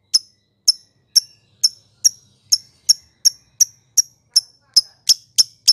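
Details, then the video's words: Lovebird in ngekek konslet style, used as a lure to stir other lovebirds: a steady train of crisp, high single ticks about half a second apart, quickening slightly toward the end. "Pancingan Lovebird Ngekek konslet"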